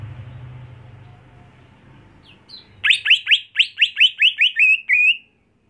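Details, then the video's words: Greater green leafbird kept as a house bird and trained for songbird competition. After a quiet start with low rumble, a fast run of about ten sharp downward-sweeping whistles ends in a level note. "Membuat Cucak Hijau Mental Rumahan Jadi Garang Di Gantangan"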